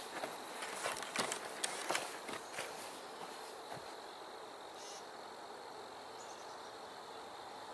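Crunching footsteps over a steady outdoor hiss, with no clear animal voice.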